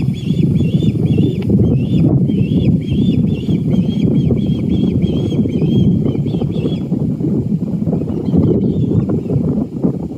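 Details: Juvenile osprey in a pine tree on Hilton Head Island, South Carolina, calling to a parent on a branch during feeding. A rapid series of thin, whistled chirps repeats for several seconds over loud, constant low wind or traffic rumble.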